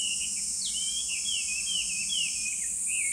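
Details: Chinese hwamei, a bird often heard loudly in parks, singing a run of clear whistled slurs that rise and fall quickly, about eight notes in three seconds, over a steady high insect drone.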